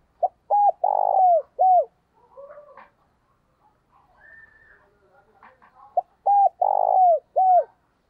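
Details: A decoy spotted dove calls to lure wild doves, giving two loud phrases of soft, arched coos, the last note drawn out and falling.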